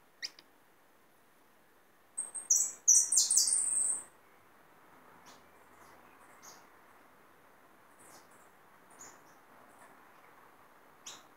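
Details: Hooded siskin, a caught bird kept as a singer, gives a short high twittering burst of song lasting about two seconds, then only faint scattered ticks over low room hiss.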